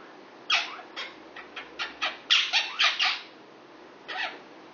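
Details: Indoor six-year-old male Indian ringneck parakeet flirting with his neighbour, a female Quaker parrot: a run of about ten sharp, harsh squawks in quick irregular succession, with a pause before one final call.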